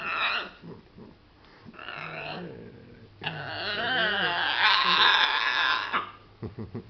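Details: Pet macaw indoors playing with its favourite towel, giving harsh, raspy, mumbling vocal bursts that swell into a long, loud grating squawk, followed by a few short clicks.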